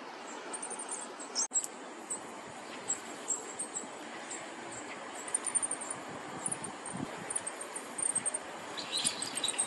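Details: Goldcrest, a winter visitor to Korea, recorded in early March 2024, sings very high, thin, fast little notes in short bursts over a steady background hiss, with one sharp click.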